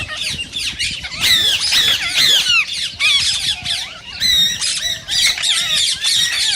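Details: Green rose-ringed parakeets, whose calls are said to urge others to sing and mate: shrill rasping screeches in continuous bursts, with a run of buzzy, evenly spaced notes partway through.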